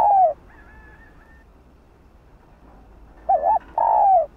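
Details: Female spotted dove calling to a male: the tail of one phrase, a quiet gap, then a wavering double coo and a long, falling, hollow note.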